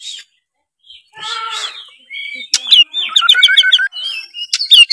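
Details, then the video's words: Oriental magpie-robin song meant to coax a lazy juvenile into singing. A soft, muffled sound opens, then a fast run of repeated whistled notes and rising slurred phrases builds in loudness. "suara kacer gacor ngeplong pancingan kacer malas trotol menjadi gacor"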